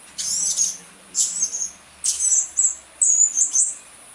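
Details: Blue-crowned hanging parrot lure sound: short, very high, thin shrill chirps in clusters, several bursts spaced about half a second to a second apart.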